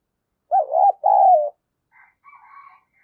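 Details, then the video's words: Decoy spotted dove with a keen, responsive voice giving one low double coo, a rolling note then a longer falling note, followed by faint higher chattering from other birds. "Tiếng Chim Cu Mồi Thúc Bổi Giọng Nhạy Và Rất Sung"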